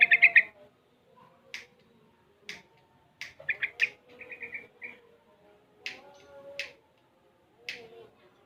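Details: A young Sooty-headed Bulbul, six months old, practising ropel and garuda styles, delivers sharp clicking chirps and brief rattling phrases in scattered groups, separated by short pauses.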